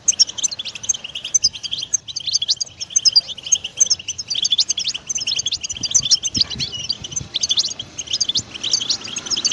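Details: European goldfinch song played to stimulate a pet bird to sing, in the batbata style: dense, rapid twittering of high, bright chirps and trills, with quick notes tumbling over each other continuously throughout.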